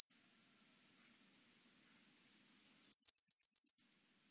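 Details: Grey wagtail: a brief high note at the start, then after a pause a rapid run of seven sharp, evenly spaced high ticks. No other sounds.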